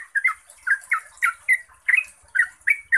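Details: Yellow-vented bulbul, known locally as trucukan, delivering clear rapid song used as a training lure. Warbling notes tumble out in quick bursts of two or three, some slurred upward, some dropping, with a constant thin high hiss behind.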